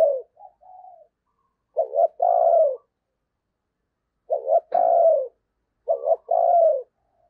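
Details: Spotted dove used as a decoy to lure wild doves, giving repeated low coo phrases: a rapid two-part note then a sustained, gently falling coo, about every two seconds.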